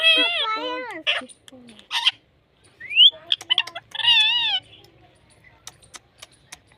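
A parrot chatters in harmonic-rich, speech-like phrases with wavering tones, squeaky syllables and a rising whistle.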